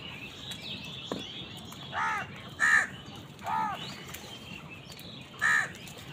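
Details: Crows squabbling with wild birds over food give loud, hoarse caws spaced irregularly, four harsh calls within six seconds against a quiet outdoor background.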